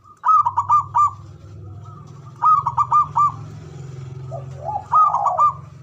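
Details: Male zebra dove calling ngoar manggung to stir mating arousal: bursts of four quick, rounded coos repeated about every two seconds over a low steady hum.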